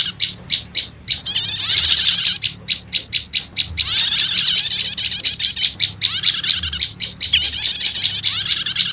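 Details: Prenjak lumut prinia lure call combined with prenjak setater: a series of evenly spaced sharp high chips, then long stretches of fast buzzy chattering, then more chips between the bursts.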